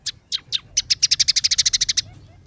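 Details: Scaly-breasted munia (emprit peking) with a song holding sparrow, red siskin and canary phrases: a few spaced chirps speeding into a rapid even rattle of about fifteen bright notes lasting roughly a second.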